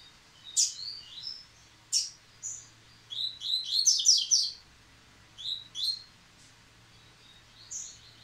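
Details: Rusty-collared seedeater, kept in a cage, singing again following its moult: scattered sharp clicks and short whistles build into a fast burst of high twittering notes around the middle, then sparse phrases trail off.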